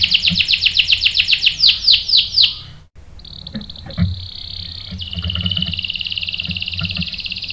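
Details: Canary song used as bait to provoke a male into answering: a run of loud, repeated downslurred whistles, a brief cut, then a long, fast, buzzy rolling trill with faint background clicks.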